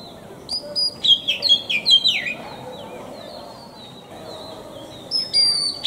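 An Oriental magpie-robin sings a rapid run of clear, high whistled notes with sweeping slurs and downward trills, pausing, then resuming with a bright phrase over faint background hiss.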